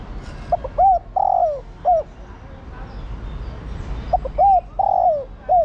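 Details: Female spotted dove calling to urge the male, a mellow cooing phrase of two short upward-curved notes and a long, slightly falling drawn-out coo, given twice about three seconds apart.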